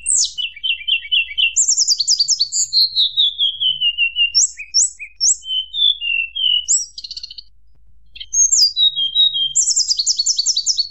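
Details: Mountain tledekan singing to provoke rival birds: a varied run of clear whistled notes, sweeping downslurs and fast trilled bursts, some repeated in quick series, with brief pauses between phrases.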